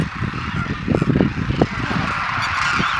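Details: Demoiselle Cranes wintering at the Khichan village feeding site in Rajasthan, India; a crowd of birds giving rough, honking calls in bursts around the middle, over steady hiss and murmur.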